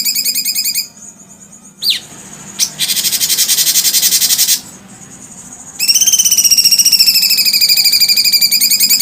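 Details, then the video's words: Cucak cungkok heard in brief trills, a sharp upward note and a dense high buzz, then a loud, sustained, rapidly pulsed trill for over three seconds. "cucak cungkok suara kuntilanak"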